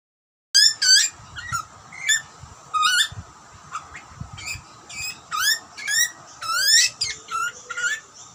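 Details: Australian wild butcherbird young calling for food during feeding by parents, giving sharp upswept squeaks, some doubled, spaced irregularly over a steady faint background hum.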